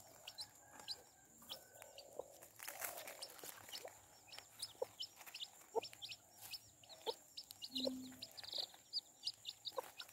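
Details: Chicks with their mother hen: a steady stream of high, falling peeps mixed with the hen's short low clucks. A scraping rustle is heard near the third second.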